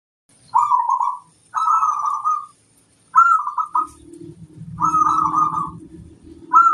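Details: Local zebra dove singing to provoke and challenge rivals: bursts of rolling, trilled mid-pitched coos, each about a second long, with short pauses between. A low rumbling sound joins in the second half, and a faint steady high tone runs throughout.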